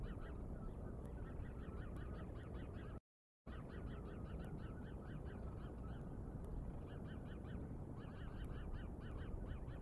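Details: Bald eagle at Decorah caught by a live nature cam on 09/08/2022 at 07:10; series of high, arched, squeaky notes repeated in quick bursts, with a short break midway, over steady low rumbling background noise.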